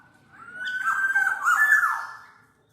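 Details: Black-naped oriole producing one sustained, raspy nasal phrase with a level start and wavering downslurs, lasting about two seconds.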